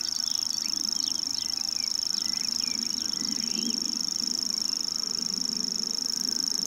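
A common grasshopper warbler reels steadily: a high, dry, insect-like trill that runs on without a break. Other small birds call faintly, over a low rumble of background noise.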